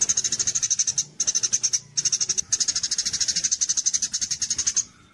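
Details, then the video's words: Javan munia recorded for training contest birds, kapas tembak style: a nearly continuous stream of quick, piercing, metallic ticks broken by two short breaks, then fading at the end. "masteran komplit untuk burung lomba gereja_cililin _kapsa tembak suara asli dan jernih# berjeda"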